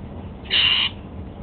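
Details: One clear, loud, harsh call of about a third of a second from a pet Golden-fronted Leafbird feeding on apple for breakfast.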